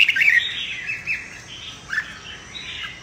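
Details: Red-whiskered bulbul in fighting-song training, heard as a burst of buzzy warbled notes at the start, then softer scattered phrases with two short downward-sliding whistles, several voices possibly overlapping.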